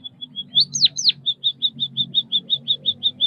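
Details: White-headed munia (Lonchura maja) of Southeast Asia: soft thin high piping notes, two loud falling whistles, then a long, even series of short high piping notes, about five per second.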